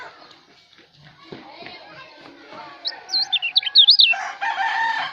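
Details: White-eye (kecial) from Lombok, recorded as a tutor song for training cage birds: a short loud burst of high, quick whistled warbling notes near the end. A murmur of voices and other faint chirps runs underneath, and a noisy rustling follows.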